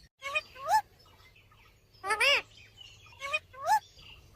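Parrot calls in harsh, rising screeches with harmonic overtones, coming in three bursts about a second apart; a low hum lies underneath.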